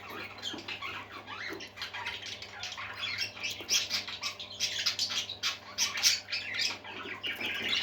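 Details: Parakeets, budgerigars, fill the room with fast scratchy warbling and high squeaky chirps that grow louder toward the middle, with faint fluttering and a steady low hum beneath.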